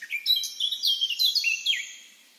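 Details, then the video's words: Brief phrase from a free Eurasian blackcap, a series of pure, fluting whistles sliding up and down, ending with a falling note. "chant & cri de la fauvette à tête noire HD - song & call eurasian blackcap"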